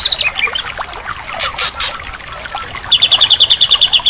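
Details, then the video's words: White-rumped shama fill-in song recorded as therapy for a bird that stopped singing. Scattered high notes over a hissy background are followed by a loud, very regular trill of bright high chips in the last second. "Masteran Terapi murai batu mogok bunyi"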